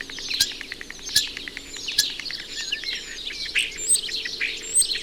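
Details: Male Common Starling on a house chimney pot, singing while rattling his bill; the song includes imitations such as carrion crow. A jumble of high squeaks, whistles and chatter is punctuated by sharp rattling clicks roughly once a second.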